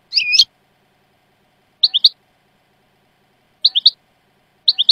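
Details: European goldfinch song in the Jordanian style, recorded as a training tape for teaching song: crisp, high twittered three-note phrases repeated about every two seconds, with silence between them and no other sounds.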